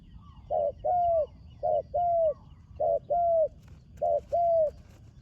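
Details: Young spotted dove making its first appearance on the competition ground, calling four steady paired coos, each a short note then a longer sustained one, with a faint rustle near the end.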